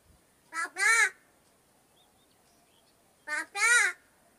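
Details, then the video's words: A talking crow imitating human words, heard as two loud harsh syllables, a short one then a longer rising-falling cry, repeated twice about three seconds apart, with quiet background. "माणसासारखा बोलणारा कावळा"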